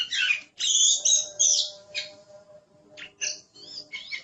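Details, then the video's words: Oriental magpie-robin giving loud, harsh, scratchy high phrases mixed with chirps, over a faint steady low hum and background tones. "Suara Burung Kacer | Gacor"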